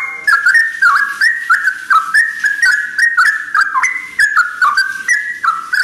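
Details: Sooty-headed bulbul at dawn pouring out liquid whistles, each phrase slurring between two or three pitches, delivered rapidly and almost without pause.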